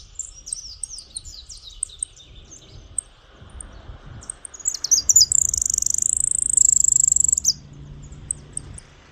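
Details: Saffron finch singing in the countryside: high, thin whistled notes in quick, uneven series, then a sustained high buzzy trill lasting about two seconds before more scattered chirps, over light rustling.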